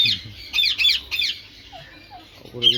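A sun conure gives harsh, high-pitched screeching squawks in short bursts.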